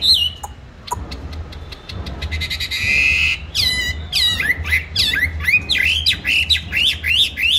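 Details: Songbird kept caged on steady feed, bought 19 May 2020, starts with a few sparse chirps and clicks, then breaks into loud, rapid looping whistles and sharp chirps, with low background hum throughout.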